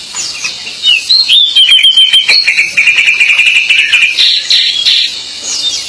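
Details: Pied bushchat (decu) singing actively: a dense run of high, sweet whistled phrases and twittering notes, some sliding, with brighter, buzzier bursts near the end and constant chattering throughout.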